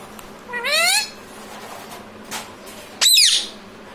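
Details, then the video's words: Parrot kept as a pet speaking "mummy papa": two brief, rising, nasal utterances about two seconds apart, heard over constant hiss. "talking parrot mummy papa"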